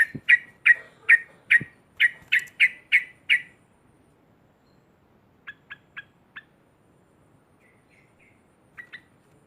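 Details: Yellow-vented bulbul's loud 'ngekek' provoking chatter: a rapid burst of about eleven harsh, rasping notes lasting around three seconds, followed by softer, scattered short clicks and notes.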